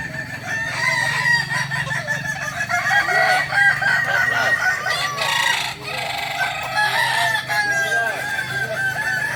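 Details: Training of Balenggek crowing chickens at Ampang Kualo, Solok: many roosters crowing together in a dense, continuous chorus of stacked, wavering harmonic notes, with a low droning hum beneath.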